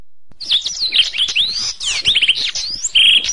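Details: Canary song recorded as a masteran training recording for songbirds: a fast, varied stream of high whistles, sweeping slurs and brief trills, ending on a steady buzzy note.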